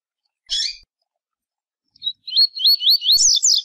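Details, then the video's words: A double-collared seedeater (coleiro) gives a brief buzzy chirp, then a quick run of about six high, wavering whistled notes that slur up and down. "Coleiro Tui Tui"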